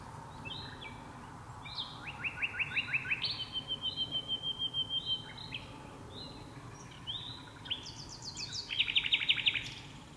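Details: Common nightingale song at dusk from inside birch bushes, two birds singing: a fast series of repeated, pulsing notes lasting several seconds, then varied whistles and a high, rapid rattling burst near the end.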